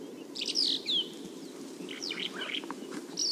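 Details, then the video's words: Bimaculated lark in Turkey giving a few thin, high, slurred notes and chirps, spaced out over a steady low rumble of background noise. "Kuş Sesleri, Boğmaklı Toygar, Bimaculated Lark"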